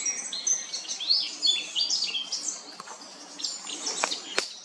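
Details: In Remscheid on 10 June 2022, a Eurasian blackcap sings a fast, varied warble of bright whistled and chattering notes, jumbled phrases running on without pause, with a few sharp clicks toward the end.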